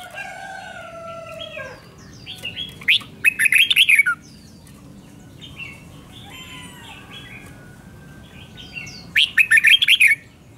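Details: Red-whiskered bulbul singing a doubled-style song meant for young birds to copy: two bursts of five to six rapid, bright whistled notes, rising and falling, about five seconds apart, after a long drawn-out harmonic cry at the start.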